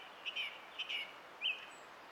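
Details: Song thrush singing on 20 April 2016, repeating a buzzy two-part whistled phrase twice and then giving a third, slightly different slurred phrase, over a light background hiss.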